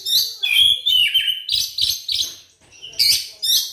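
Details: White-rumped shama, a captive songbird, singing a lure song meant to provoke other shamas into singing: loud, varied phrases of clear whistles and sweeping notes, several bursts within a few seconds, with faint low knocking sounds beneath.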